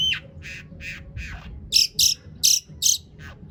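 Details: Long-tailed shrike song used to provoke other shrikes into singing: a series of raspy mid-pitched notes followed by four loud, harsh, very high bursts roughly every half second.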